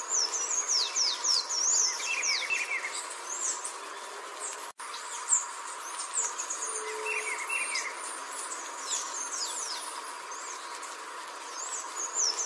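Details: Blue-naped chlorophonia in Bogor giving rapid, high, thin chirps and short falling whistles, almost two per second, over a steady low electrical hum.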